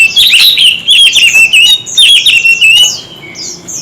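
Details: White-rumped shama singing hard in a song duel, with many-voiced, fast whistled and warbled phrases, rising and falling notes and quick trills in bursts. The song fades after about three seconds, leaving soft high chirps from other birds.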